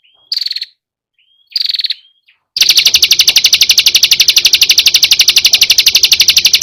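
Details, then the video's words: Prinia (perenjak or kecingkur) combination song used as a training master for songbirds: two short rising chirps, then a long, fast, steady trill of high pulsed notes running to the end. "Tembakan Burung perenjak|suara kombinasi"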